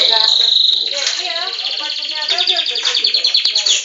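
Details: Captive-bred Belgian canary singing a fast, rattling trill that runs almost unbroken, with notes pulsing several times a second and growing louder and more clipped toward the end.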